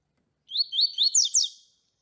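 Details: Tui-tui song of the double-collared seedeater, offered as a master song for young birds and to warm up rivals: three slurred rising whistles leading into two emphatic downward notes, a crisp phrase under two seconds.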